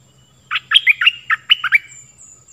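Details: Stripe-throated bulbul singing a phrase meant for teaching young birds and drawing in wild birds, eight quick bubbly notes in small clusters, some dipping downward, over a soft low hum.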